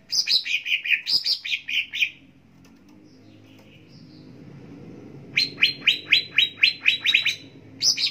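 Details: Greater green leafbird tutor song for captive birds, meant for any time of day. Descending warbled chirps open the phrase, then a quiet gap, then a steady run of sharp rising notes at about four per second.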